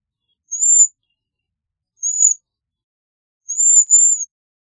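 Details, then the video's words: Three thin, high, arched notes from a Bohemian waxwing, spaced about a second or more apart. The last note is doubled. Nothing else is audible. "Bohemian Waxwing Song! Bohemian Waxwing Voice! Singing - Ampelis Europeo Canto - Bombycilla Garrulus"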